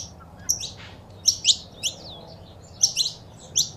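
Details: Saffron finch female calls with male song, for stimulating a pet bird: sparse, sharp high chirps in twos and threes with quiet gaps between.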